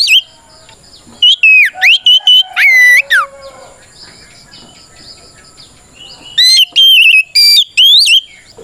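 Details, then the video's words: Provoking song of a White-rumped shama, aimed at making other shamas sing back: a short burst of whistles and sweeping slurs, a long quiet gap, then another run of bright looping whistled notes. "Suara Burung kacer gacor NGEPLONG tarung ini paling ampuh buat PANCINGAN KACER agar EMOSI Nyaut"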